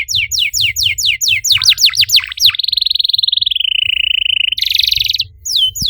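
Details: Canary song meant to encourage other canaries: falling whistled sweeps, then a long even buzzing trill gliding lower, a harsh high burst, and renewed quick sweeps.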